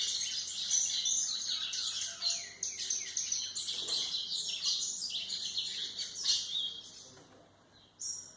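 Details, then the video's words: Song of a White-throated seedeater played to train young birds: a dense, fast, high twittering that runs on for about seven seconds, then stops before one last short note. "canto de golinha para foquear pássaros"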